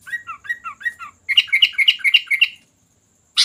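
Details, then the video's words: Sooty-headed bulbul singing. Four paired chirps repeat about every 0.2 seconds, then a faster run of six bright, bubbly notes follows. A harsh burst cuts in at the end. "Suara Kutilang Gacor Dorr"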